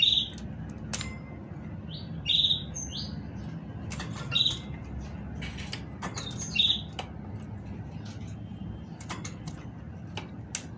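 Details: Female great tit song meant to stimulate males: brief bright high phrases repeated roughly every two seconds, four phrases in all, separated by quiet stretches with light clicking and tapping.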